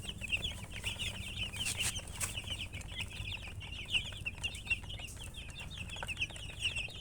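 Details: Chicken chicks peeping continuously in a group, dense overlapping high short chirps with some brighter notes, a few brief soft knocks, and a steady low background hum.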